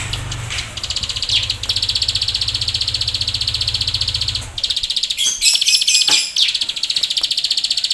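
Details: Bar-winged prinia in full song, a rapid, high, buzzy chatter of repeated notes used as a tutor and lure recording, with a low engine-like hum beneath it for the first half.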